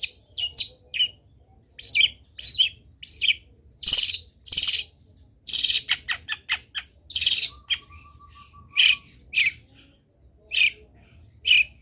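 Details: Long-tailed shrike in spirited song rich in fill phrases, used to set other shrikes singing: varied scratchy chirps and clicks, loud harsh bursts, and a thin steady high note partway through.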